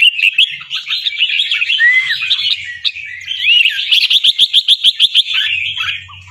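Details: Albino red-eyed fancy red-whiskered bulbul from Chonburi, Thailand, a caged competition-line bird. Its song is loud and bubbling, with doubled phrases, slurred whistles and a fast, evenly pulsed run of chopped notes near the end.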